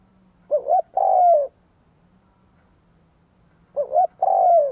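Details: Spotted dove kept as a decoy, cooing to draw in wild doves: two loud phrases, a quick double hoot followed by a drawn-out descending coo, separated by a quiet gap.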